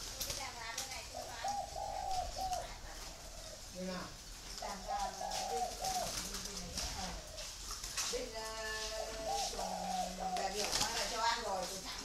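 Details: Spotted doves kept as free-range breeding birds in Ba Vi, Hanoi, Vietnam, cooing repeatedly in soft, rounded multi-note phrases, with a low droning tone and human voices mixed in between coos.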